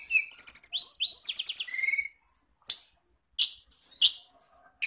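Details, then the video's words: Songbirds named as kacer, cendet, murai and tledekan, on a lure recording for training caged birds in Indonesia: a burst of swooping whistles and buzzy, fast notes, then sparse, single sharp calls separated by silence. "masteran pancingan burung kacer cendet murai tldekan"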